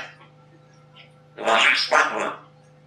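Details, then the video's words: A talking grey parrot from Russia, a talking-bird championship competitor, voices two quick, rough, speech-like syllables of about half a second each over a low steady hum while chatting with its keeper. "Gadająca papuga"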